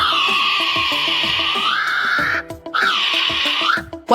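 A kiwi gives two long, shrill whistles, the first drawn out and dipping, the second rising then falling, over background music.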